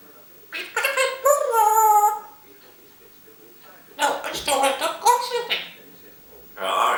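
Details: Talkative female African grey parrot kept as a house pet, caught on a camera set down in secret, utters two bursts of harmonic speech-like babble separated by a pause, followed by a brief breathy noise.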